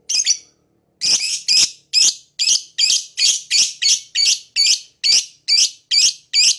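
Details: Lovebird calling in a fast run of high, harsh, scratchy chirps, more than two per second after a short opening pause.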